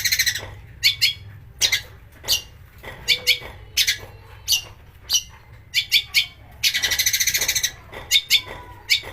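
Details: Long-tailed shrike song meant to rouse other shrikes into full singing, with harsh bursts and copied master-bird notes: widely spaced sharp chirps, then a loud buzzy rattling burst and a few closing notes.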